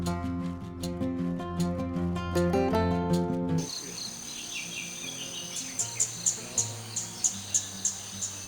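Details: At a coffee-estate resort in Wayanad, Kerala, India, music plays at first, then a flowerpecker gives sharp, high 'chick' notes, repeated about twice a second over a faint low hum.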